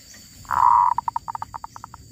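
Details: Wild female zebra dove: one drawn-out coo note followed by a trailing series of short, rhythmic staccato pulses that slow slightly toward the end, over quiet background.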